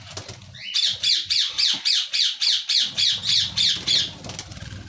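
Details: White lovebirds in a colony in Pakistan: a rapid burst of about a dozen shrill, harsh squawks, roughly three per second, with wing flutters before and after the calling.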